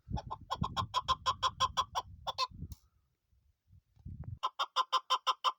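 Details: A female chukar kept as a hunting bird gives rapid, evenly spaced clucking notes, about three per second, pausing briefly before resuming; low rumbling noise sits under the opening notes.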